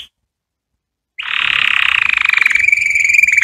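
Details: Canary song played to teach young canary chicks to sing: after a second of silence, a dense, rapid buzzy trill starts abruptly and holds steady at a high pitch, its pulses quickening slightly toward the end.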